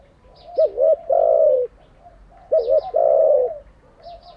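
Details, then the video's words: Spotted dove serving as a training decoy, two cooing phrases of a rapid wavering note then a longer falling coo, about two seconds apart, with faint high chirping from another bird. "Tiếng chim cu gáy mới nhất, dùng luyện chim gáy bổi và mồi hàng ngày"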